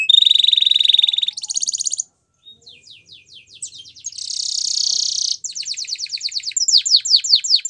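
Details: Belgian canary training song: a loud steady rolling trill, a higher trill, brief silence, soft descending notes, a long buzzy roll, then fast repeated downward-sweeping notes.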